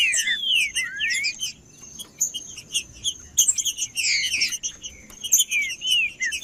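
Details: Green-winged saltator song meant to warm up a cold captive bird: curving whistles open and close the phrase, with a dense patch of high chirps between them and a thin continuous tone behind.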